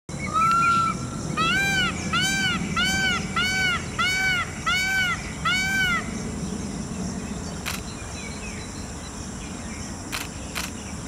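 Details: A peacock's mating call: a rapid run of about nine loud, nasal, arched honks, roughly two per second, over steady low rumbling background noise.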